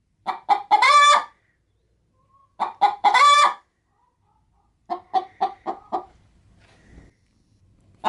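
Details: Domestic hen about to lay an egg inside a feed bag, cackling as someone comes near: two bursts of quick clucks ending in a long rasping note, then a run of five shorter clucks.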